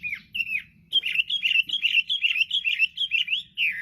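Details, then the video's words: Chinese hwamei singing vigorously, a few slurred opening whistles followed by a rapid train of warbled, rising-falling notes about two per second, ending on a long descending whistle; faint low rumble underneath. "Kicauan Burung Hwamei//Wambi Gacor"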